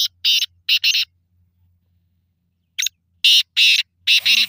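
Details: Black francolin giving harsh, scratchy bursts in paired groups, several phrases over a few seconds, with a faint low hum between phrases and a brief voice at the end.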